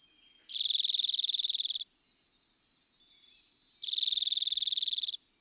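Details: Rapid, buzzy, high-pitched trills from a dark-eyed junco, two bursts each about 1.3 seconds long, spaced roughly three seconds apart, with only faint soft sounds in the quiet gap.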